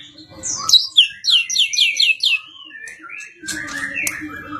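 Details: Champion competition white-rumped shama singing a quick series of descending whistled notes, about four per second, ending in a rising whistle before fainter mixed background sound.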